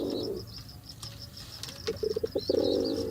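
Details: Low pigeon coo at the start, then a burst of short throaty pulses that swell into a sustained rolling coo, with thin high chirps of small birds running throughout.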